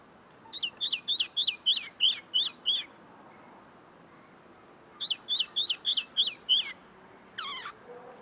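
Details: Tame common linnet singing close in front of the recorder, still polishing its notes: two bursts of sharp, rising-and-falling chirped notes, eight then six in quick steady succession, followed by one buzzier descending note.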